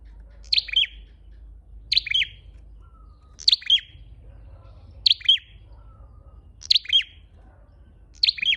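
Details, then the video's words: Red-headed flowerpecker calling as a lure: six crisp, high chirp phrases, each a piercing note dropping into short slurred tweets, spaced roughly 1.5 seconds apart against a quiet low rumble. "Tiếng chim sâu đầu đỏ mồi"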